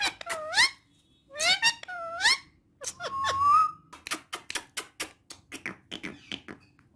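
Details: Female ringneck parrot speaking Urdu and Hindi: paired rising harmonic syllables, a longer steady wavering note, then rapid clicking ticks.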